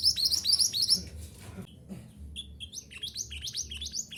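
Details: Minivet (mantenan gunung) singing in a recording used to train caged birds: dense high twittering at first, a brief lull, then lighter, quick upslurred notes repeated irregularly, with a low background hum.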